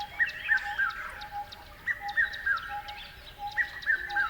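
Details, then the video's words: Birds chirping: short, sharp chirps in quick runs of three or four, each run slightly falling, repeated roughly every one and a half seconds over a steady faint tone and soft high ticking. "Beautiful Birds Chirping Sounds"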